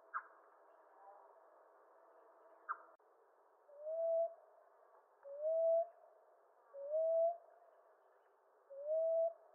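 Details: Common ground dove giving four soft, rising coos, evenly spaced about one and a half seconds apart, after a quieter opening with two sharp clicks or chirps and a faint hiss.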